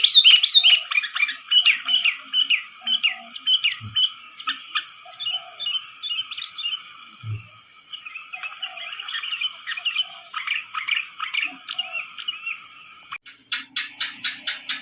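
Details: Sooty-headed bulbul lure calls for trapping birds: lively chattering series of short liquid chirps repeated rapidly, pausing near the middle, then a burst of high crackling ticks near the end over a steady faint hiss.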